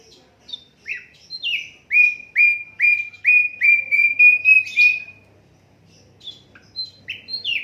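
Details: Asian brown flycatcher, an unedited recording used as master song for training songbirds: a series of downslurred whistled notes repeated about every half second, then a pause and scattered higher chirps.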